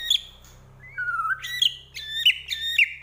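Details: White-rumped shama of the Medan type singing 'gacor full isian', a vigorous song full of fill-in phrases: a low whistled slur, then high chirping notes with repeated sweeping whistles, two to three phrases a second.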